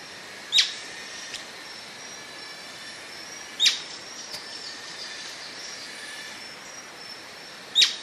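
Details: Abrupt, sharp, high notes from an Atlantic royal flycatcher, spaced about three seconds apart, over a constant shrill insect-like drone.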